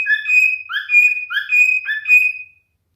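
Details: Singing male cockatiel gives clear, sweet whistles: a long level tone broken by short upslurred notes, four phrases in two and a half seconds, then silence.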